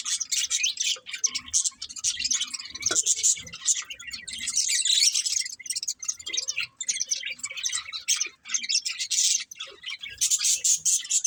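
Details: Breeding pair of budgerigars keeping up a steady high, buzzy chatter of clicks and rapid warbled chirps for over ten seconds, with only brief pauses.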